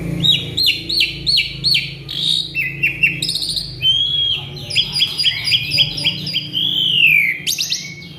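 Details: Agitated male Asian pied starling singing a full mimicry fill: quick runs of rising whistled notes, buzzy metallic bursts and chattering phrases, ending in a long sliding whistle and a sharp upward note, over a low steady hum.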